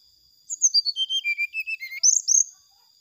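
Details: Brown-chested jungle flycatcher song used as a lure to provoke rivals: about a dozen crisp whistled notes descending steadily in pitch, then a short flourish of high, bright notes.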